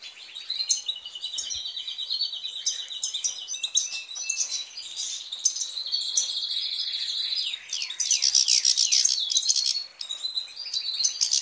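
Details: European goldfinch song: a dense, fast, tinkling twitter of high chirps and buzzy trills, continuous with almost no pauses, some rapid repeated notes in runs.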